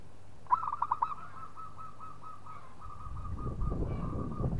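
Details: Local zebra dove singing to provoke a rival: a few sharp opening notes, then a long, even string of rapid trilled coos, about twenty in a row, with low rumbling noise toward the end.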